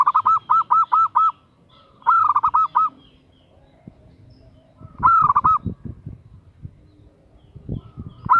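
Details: A female zebra dove calls to a male in quick runs of repeated, bouncing coo notes, the first run of about six notes. Several shorter phrases follow, with sharp tapping knocks in the gaps between them.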